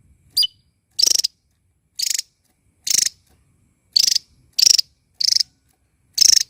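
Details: Small bird chattering loudly while dancing: one sharp high chirp followed by evenly spaced dry, buzzy rattle bursts, about one every second.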